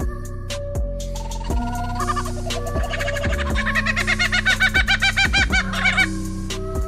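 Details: Lyrebird sound offered as a terrifying screech: a fast run of looping, warbling notes repeated several times per second, building and then fading, set against steady background music.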